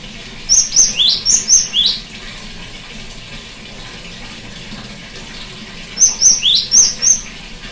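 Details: Cinereous tit song, used as therapy for a tit that has stopped singing: two bursts of about five high, clear whistled notes mixing flat tones with upward-sweeping ones, separated by a four-second pause over steady soft hiss.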